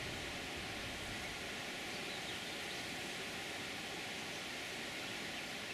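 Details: Steady broadband hiss like rushing water or wind fills the whole stretch, with no distinct calls standing out.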